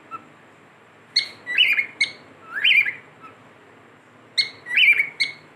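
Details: A pet cockatiel whistles in short phrases: clipped high notes alternating with rising, slurred whistles, grouped in two bursts separated by a pause of about a second.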